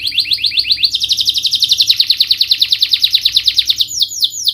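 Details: Canary song for stimulating a reluctant bird: fast repeated chirps lead into a long, dense rolling trill of quick identical notes, ending with a few sweeping whistles.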